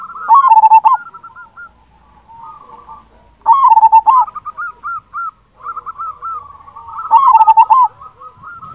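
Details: Local zebra dove, described as a loud, persistent singer, repeating vigorous bursts of rapid, trilled coos about every three seconds. Softer cooing phrases fill the gaps.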